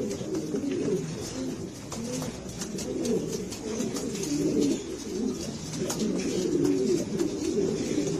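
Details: Spanish Granadino pigeons keep up a dense chorus of low, bubbling coos, phrases overlapping one another, with light clatter and tapping around them.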